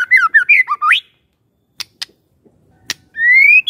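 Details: Magpie-robin song used to coax a silent bird into answering: a rapid warbled phrase of up-and-down whistles, a gap with faint clicks, then a long, smoothly rising whistle.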